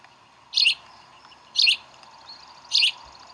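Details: Bald eagles at their Decorah nest during a chick feeding, 11 April 2012. Three shrill, double-pulsed chirps come about a second apart.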